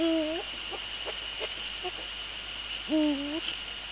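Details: Evening nest preparation by a male Eurasian eagle-owl on 29 January 2014, ahead of nest inspection and a prey handover: two deep, hooting calls about three seconds apart, each flat then swooping upward, with soft clicks and a steady electronic whine between.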